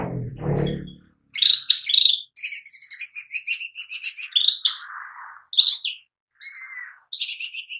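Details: Lesser green leafbird (cucak ijo mini) singing gacor as a lure: after a low rustle, a long rapid chattering stream of high, slightly rattling notes with whistled chirps mixed in, broken by brief pauses.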